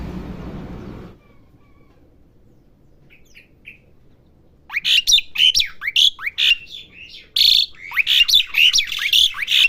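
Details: After a low rumble and a few seconds of near silence, a house-kept Asian pied starling practising its song bursts into rapid rising whistles mixed with scratchy, buzzy bursts, loud and continuous to the end.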